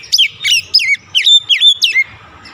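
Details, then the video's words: Oriental magpie-robin stimulating song for reviving a stressed, silent caged-type kacer: six loud, strongly harmonic whistled notes, each swooping down then up, delivered in a steady run of about two seconds before falling quiet. "KICAUAN PEMIKAT DAN PERANGSANG BUNYI | Kacer stres macet bunyi langsung gacor"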